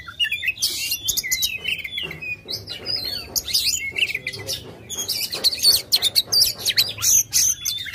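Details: Oriental magpie-robin singing aggressively while spreading its tail, used to coax a lazy bird into song; loud, varied high whistles and buzzy chattering phrases in dense bursts, with a short quieter gap mid-way.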